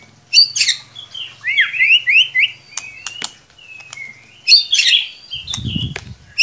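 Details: White-rumped shama song used as a singing lure: loud harsh chattering bursts framing a run of rising whistled notes and brief high slurs, with a low thud near the end.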